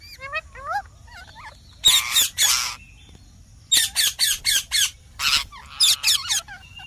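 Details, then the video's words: Green parrot giving loud raspy screeches, first two long harsh calls, then a rapid run of five shorter squawks, with thin whistled and chattering notes at the start and end. "Mithu Ki Awaj"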